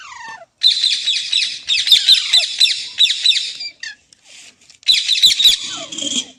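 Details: Green parrot screeching continuously with buzzy, rasping squawks in fast pulses, a short break with small chirps, then another harsh burst ending in a falling squeal.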